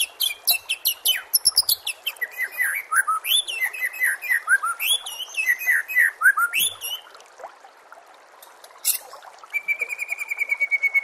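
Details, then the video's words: White-rumped shama song in a training compilation for caged birds: a long fast stream of looping, slurred whistles and bright high chirps, a short lull, then a steady ticking series of thin, even notes. "MASTERAN SPESIAL TAHUN INI AUDIO JERNIH KOMPILASI MEWAH UNTUK SEMUA JENIS BURUNG MURAI BATU"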